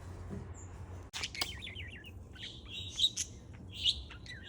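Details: A parrot at play on July 4, giving bright high chirps and short warbled notes, with loud sharp peeps near the end, over a low steady hum.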